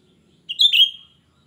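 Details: Cucak rante in lively voice, shrill song used as a lure for untrained wild birds: one bright, sharp whistled phrase, a quick high note sliding into a longer slightly falling whistle, on a silent background.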